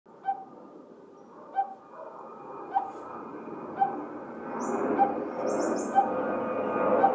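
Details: Coppersmith barbet giving its hollow, single-pitched tuk note, repeated at a steady pace about once a second over a broad background hum, with a few faint high chirps from other birds.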